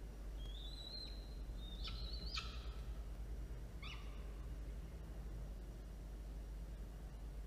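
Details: Falcon recorded by a nest camera as prey is delivered and two small chicks are fed, 13 October 2022 at 1:54 p.m.; one long thin whistle followed by a few short sharp notes, then only low steady hum.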